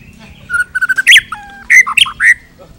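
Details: White-rumped shama with a full repertoire for training other birds: a string of short mid-pitched whistles, then loud buzzy bursts and slurred phrases that dip lower before rising again.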